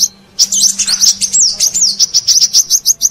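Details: Brown-throated sunbird call used to lure wild birds: after a short quiet start, a jumble of thin high twitters gives way to a rhythmic series of evenly spaced sharp chips, over a low hum.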